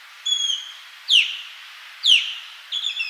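Osprey giving clear, high whistled calls, sharp downslurred notes about once a second, with some fainter whistled phrases between them.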